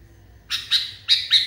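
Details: Agitated sooty-headed bulbul, or kutilang, giving four harsh, scratchy chirps in two quick pairs after a brief silence. The notes are sharp and loud against a quiet background.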